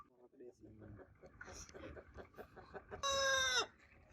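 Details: Rooster in a crowing competition: a stretch of rapid, low clucking and chatter builds up, then a loud, harmonic-rich crow bursts out near the end, holding briefly before dropping off sharply.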